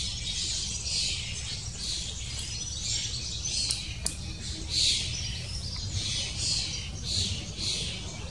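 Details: Long-tailed tit parents busy feeding chicks about to fledge give thin, very high calls in quick bursts, several every second or so, over a steady low background rumble.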